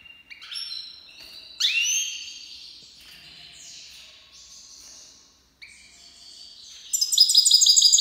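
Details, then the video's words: A captive Iranian goldfinch, a Himalayan black-headed cross, sings a bright, tinkling run of liquid twitters and slurred notes, ending in a fast, buzzy trill. "Goldfinch Singing hasoun تغريد الحسون صوت الحسون"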